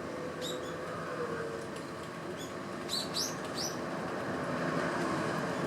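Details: Eurasian tree sparrows feeding in winter; short, thin high chirps come in scattered bursts, a quick cluster near the third second, over a steady low background hum.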